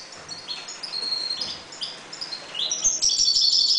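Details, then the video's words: Caged European goldfinches while breeding: thin drawn-out whistles and soft chirps, then a sudden rapid high twittering burst toward the end. "jilgueros criando"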